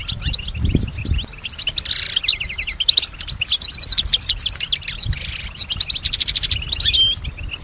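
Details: Caged European goldfinch, a female, singing and imitating surrounding sounds: fast twittering song of rapid buzzy trills and liquid chirps, high-pitched, with a brief harsh rasp midway and faint low background hum.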